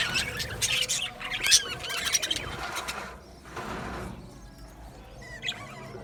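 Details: Aviary budgie colony with lively chirping and squeaks at first, then a soft rushing flutter of wings as the chatter fades to a few scattered chirps.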